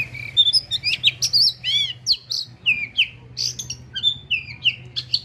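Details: Oriental magpie-robin singing, agitated at the sight of a rival: a rapid run of clear whistled notes, with slurred rising and falling phrases and short chirps, delivered almost without pause over a steady low hum.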